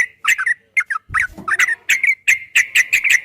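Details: Fast 'ropel' song of a yellow-vented bulbul: short, clear, liquid whistled notes tumbling in quick succession, with one brief low knock partway through.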